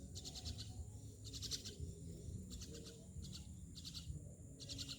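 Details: Myna giving bursts of harsh, rasping notes, each burst about half a second long, repeated roughly every second, over a steady low rumble of background noise.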